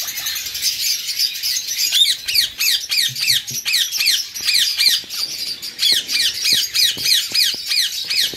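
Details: Pair of eastern rosellas with recently fledged chicks, the older one feeding alone and pursued by the male. Shrill down-slurred squeaky notes repeat about three times a second, almost without pause, over a hissy chatter.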